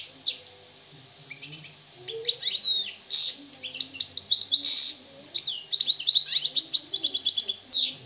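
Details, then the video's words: Free-living Moroccan European goldfinch in sustained song, a rapid, liquid twitter of high tinkling notes mixed with buzzy trills and downslurred whistles, running almost without pause. "استمع واستمتع الى طائر الحسون المغربي الحر الاصيل"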